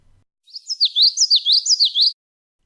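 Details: Common Yellowthroat, a skulking North American bird of marshy or scrubby areas, sings a quick, rolling, wheel-like series of high, slurred up-and-down phrases, about four repeats in under two seconds, with small gaps between notes.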